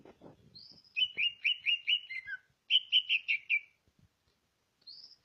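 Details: Greater green leafbird from Ngawi, East Java: a run of bright, repeated whistled notes in two bursts, each of about five quick slurred phrases, with a thin high note before and after and faint low knocks.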